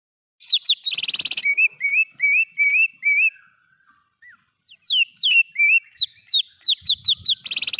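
A greater green leafbird sings rapid, varied whistled phrases of upslurred and looping notes, with harsh buzzy bursts near the start and end and a short pause midway.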